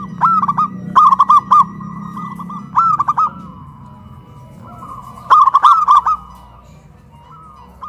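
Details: Duet of two local zebra doves, big voice against crystal voice, singing loudly from cages hoisted on a pole in Kuningan, West Java: three rolling, bubbling coo phrases separated by pauses, quieter cooing between them.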